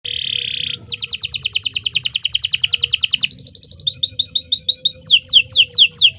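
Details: Canary song used as a long, continuous training model for other birds: a buzzy burst, then a rapid trill of rising notes, a clipped high rattle, looping whistled phrases and sharp descending sweeps, all high-pitched with no pauses.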